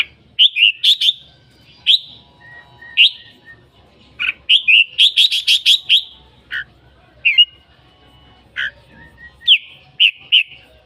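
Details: Red-whiskered bulbul singing energetically: chattered bursts of rapid notes mixed with sweet falling whistles and sharp single chirps, phrases spaced a second or so apart.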